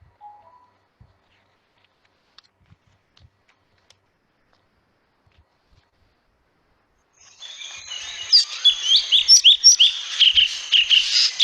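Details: Drongo, a bird that chases away raptors so orioles, pigeons, babblers and bulbuls nest near it, singing after a long quiet stretch: a varied, musical run of rapid whistled and chattering phrases.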